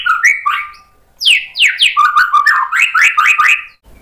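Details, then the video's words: White-rumped shama in full song with sharp fill-in phrases, used as a lure so other birds answer: varied loud whistled notes, then a quick run of rising, slurred whistles repeated about five times after a short pause. "MURAI BATU GACOR bongkar isian tajam cocok untuk PANCINGAN biar ikut NYAUT BUNYI"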